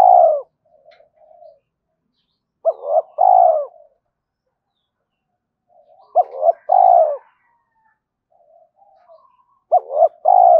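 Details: Spotted dove cooing as a lure for other doves: three rhythmic phrases of two or three rich coos, spaced roughly three seconds apart, with faint soft murmurs between them.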